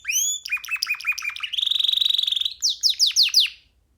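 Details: Free young canary perched on a hand sings a varied phrase: rising whistles, a stuttering series of short notes, a buzzy steady trill, then several sharp descending sweeps.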